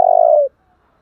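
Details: Spotted dove in the thổ đồng voice style giving a single drawn-out, mellow coo. The coo holds steady, dips slightly at the end and stops abruptly after half a second. No other sounds.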